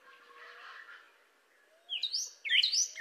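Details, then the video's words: Cardinal: faint hazy background at first, then a few loud, sweeping whistled notes near the end, slurring up and down. "أصوات كاردينال"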